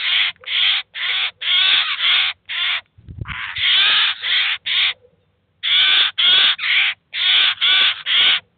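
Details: Eurasian jay and chicks at a cheese feeder, 2019: a rapid series of loud, hoarse, scratchy screeches, roughly two per second, broken by a brief pause with a low thump, then resuming just as harshly.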